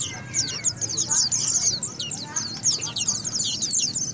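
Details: White-eye song: an unbroken stream of high, rapid warbling chirps and trills, busy and scratchy in texture, with soft low rumble behind.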